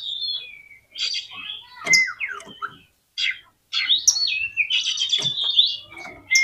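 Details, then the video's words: Oriental magpie-robin singing to excite rival magpie-robins, delivering varied phrases separated by short pauses: sharp whistles, harsh scratchy bursts and quick downward slurs, with one brief pure high note. "CUKUP DI PLAY 3 MENIT BIKIN KACER LANGSUNG EMOSI TINGGI !!! PASTI CEPAT ON"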